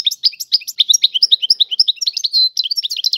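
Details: Goldfinch song of the tiwawati kind: an unbroken stream of fast, high, liquid chirps and twittering notes, with one short buzzy note near the end.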